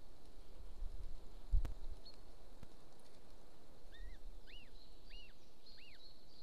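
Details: Golden eagle at its nest in Estonia, near a military training ground, 26 April 2024 at 13:50. After a low thump, a run of four short arched, squealing notes comes in the second half, with a steady high hum throughout.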